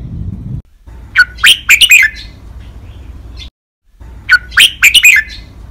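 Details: Caged red-whiskered bulbul giving a five-syllable 'lak wai' master-style training song: two sharp, sweet whistled phrases of rapid rising and falling notes, separated by about three seconds, with a faint low hum.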